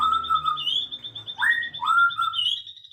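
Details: Afternoon bird song of sweet whistled notes: a level whistle, then a quick rising sweep and a long falling glide, accompanied by a steady pulsed trill and low hum.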